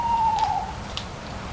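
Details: A single owl hoot, a smooth whistled tone lasting over half a second and dipping slightly at its close, with a couple of soft leaf-fall clicks afterward.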